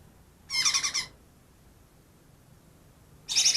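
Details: Greater green leafbird, trapped two days earlier and said to mimic ten birds, gives a half-second burst of dense scratchy high chatter. A similar burst starts near the end.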